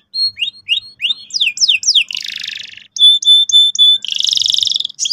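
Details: Lively canary giving a lure song to prompt young birds to roll: quick rising slurred notes, a harsh buzzy burst, clear steady whistled pips repeated about four per second, then a fast rattling roll.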